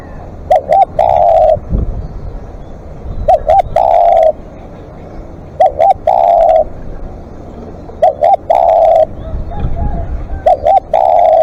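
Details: Long calling from a spotted dove used as a live decoy; five regular phrases, each two short coos then a sustained even coo, repeated about every two and a half seconds amid light clicks and low rumble.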